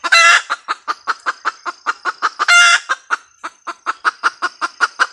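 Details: Red junglefowl hen opens with a loud, grating squawk, clucks rapidly, squawks again, then continues a quick regular series of sharp clucks against a faint high background whine.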